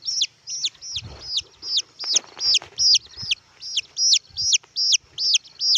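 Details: Red junglefowl chick peeping: high, thin, downslurred cheeps repeated steadily about every half second, with faint rustling in between.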